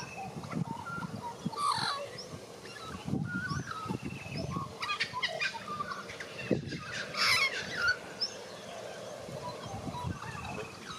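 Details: White-backed Australian magpie, a native Australian bird, warbling: scattered tonal whistles and chortling notes, some rising and falling, over a steady low background rumble.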